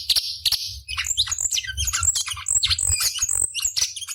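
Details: Cucak cungkok bulbul in a master track for competition birds delivers a dense, fast, chattering run of varied high chirps, squeaks and twittering notes with almost no breaks, and a low hum beneath.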